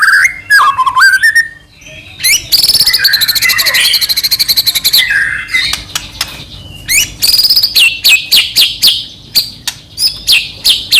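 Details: Medan-type white-rumped shama in constant, fill-packed song, used to goad another shama into singing. It gives a low warbled phrase, then a dense buzzing trill, then a series of sharp notes falling from high to mid pitch.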